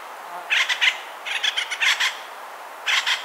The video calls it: Acorn woodpecker sounds